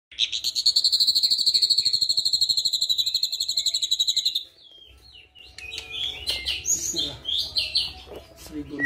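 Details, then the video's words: White-eyed ashy drongo, a lively, active bird, singing with imitations of a flycatcher mixed in: about four seconds of a fast, even, high trill, a short pause, then a jumble of varied chirps and slurred whistles. "Srigunting Abu rasa Sikatan Londo"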